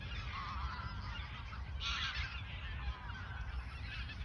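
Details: Many geese calling at the Ochsenmoor nature reserve, autumn 2022, days before their southward migration; a busy wall of honks with a louder burst of calls near the middle.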